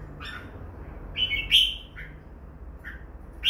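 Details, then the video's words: Red-whiskered bulbuls, a pair, giving a few clipped chirps and one louder whistled, slurred note, with short gaps and faint background hum. "Merbah jambul"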